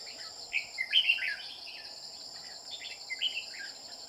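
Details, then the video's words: Red-whiskered bulbul recorded during trapping with a decoy bird: short warbled, chirpy phrases in two bursts about two seconds apart, over a constant high insect drone. "Bẫy chào mào đang săn em bố giọng chuông"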